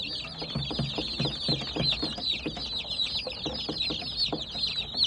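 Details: Busy chorus of baby chicks, loud high cheeps tumbling over one another, about two or three per second, with soft low tapping in the first seconds.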